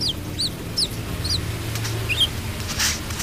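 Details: Brown-throated sunbird singing: a series of thin, high, sharply slurred chirps, some rising and some falling, given in loose bursts, over steady low rumbling background noise.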